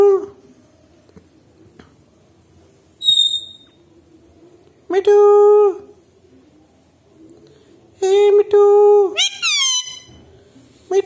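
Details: Talking Alexandrine parakeet kept as a pet indoors, mimicking Hindi words: a brief high whistle, then drawn-out nasal voiced syllables repeated, the last run of rapid, falling, squeaky notes.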